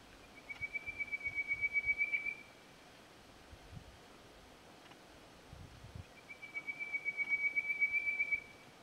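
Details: Male Chestnut Quail-thrush in full voice, Hattah-Kulkyne National Park, 13 September: two long thin high whistled trills on one steady pitch, each about two seconds of rapid pulses, separated by a pause, with faint low rumble beneath.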